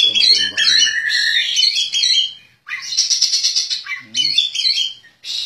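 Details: Prize-winning caged Oriental magpie-robin in loud song, mixing rich warbled phrases and sharp whistled notes with harsh rasping trills, two long bursts separated by a brief silence.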